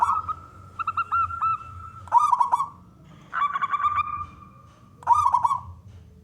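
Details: Male local zebra dove, a contest-type bird, singing to draw other doves into song: four loud rolling coo phrases, each under a second, separated by softer runs of repeated hooked notes and faint hum.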